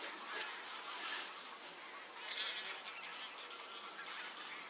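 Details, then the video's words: Geese at 52.198011, 19.790611 give harsh, nasal honks in a noisy overlapping chorus, with a broad hiss of background sound throughout. "Geese / Gęsi"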